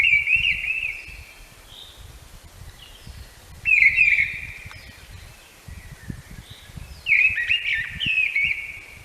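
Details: Mistle thrush song, played as an identification example among Essex birds in May: three short, clear fluty phrases about a second long, each followed by a pause of two to three seconds, with a soft background hiss.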